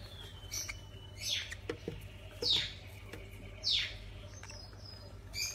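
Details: Hand-reared lovebird chicks at a pet shop in El Ejido give harsh, rasping chirps that sweep up and down, about one every second, over a low steady hum.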